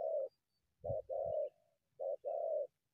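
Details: Wild spotted dove approaching a decoy from the undergrowth; clean, mellow coos in paired short and drawn-out notes, with one soft thump between them.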